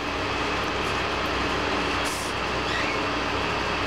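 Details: Steady rumble and hiss of a passing train or rail vehicle, with no animal calls heard.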